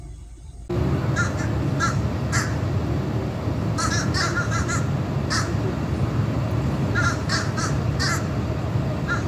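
Fish crows give short, nasal, kazoo-like caws, singly and in quick doubled bursts, over a steady low rumble of wind or background music.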